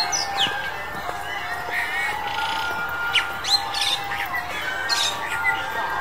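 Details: A male Chinese blackbird (Turdus mandarinus), in February 2021, sings a busy run of varied whistled and chirping notes, some sweeping high, over a steady tonal hum with other birds calling.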